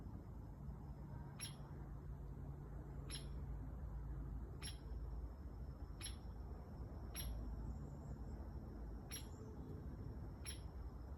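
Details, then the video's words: A woodpecker gives sharp, high single 'pik' notes, seven in all, spaced about a second and a half apart over a steady low rumble. "Sounds of a Woodpecker"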